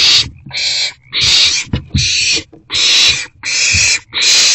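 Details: Owls in a nest box receiving rodent deliveries on 29 March 2024 at about 7:40 pm: broad hissing screeches that run back to back with brief pauses, mixed with a few low bumps and scuffles.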